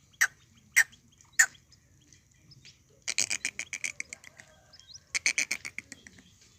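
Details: Three loud sharp notes from a desi quail, then two fast stuttering trills of clipped, evenly spaced notes over a quiet background.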